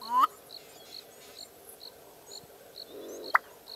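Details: Black-bellied bustard in Hluhluwe-iMfolozi Game Reserve, South Africa, gives a loud, rapidly rising croaking note, then a sharp pop about three seconds later; a steady high insect chirp pulses throughout.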